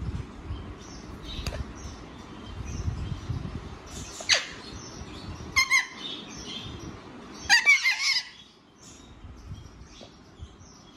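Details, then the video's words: Young Alexandrine parakeet kept as a pet; short, harsh squawks come in scattered bursts, one near the start and a tight cluster of rasping cries later, separated by quiet stretches with faint rustling. "Alexandrine parrot l Talking parrot l Baby parrot"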